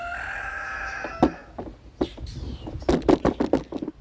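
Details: A domestic rooster crows in a spring garden in zone 6b/7a while seedlings are hardened off: a long harmonic crow fades out, followed by clicks and a woman's speech.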